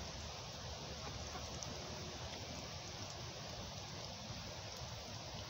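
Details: Even, rain-like rushing noise fills the scene, with no bird or other animal calls.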